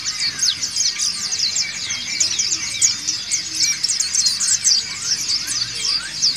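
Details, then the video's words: White-eyes of the dakun and montanus types singing ngriwik en masse, used as training material: a crowded, high-pitched twittering of short slurred notes, constant and overlapping, with slightly lower chirps beneath. "PLECI DAKUN NGRIWIK BERJAMAAH"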